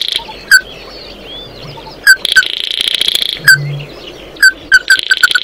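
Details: Singing to gather its flock, an Oriental white-eye gives scattered single sharp notes with pauses between them, then a brief quick run at the end, over a buzzy hiss and a low hum.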